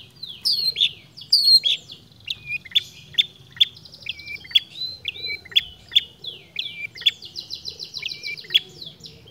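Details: Long-tailed shrike copying other birds in an unbroken run: two loud descending squeals, then a long series of regular sharp clicks and short warbled slurs at a steady pace, ending with a buzzy trill.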